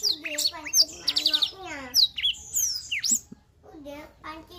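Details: Black-throated canary pouring out quick, high, sweeping whistles and chattering trills, partly overlapped by a lower, harmonic human-like voice, with song fading into quieter, scattered notes near the end.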